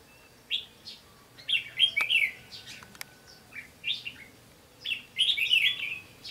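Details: Red-whiskered bulbul with a 'bell voice' singing as a decoy to lure wild birds during trapping, 15 June 2016. Bright warbled phrases, bursts of quick rising and falling notes repeated several times, with faint background hiss.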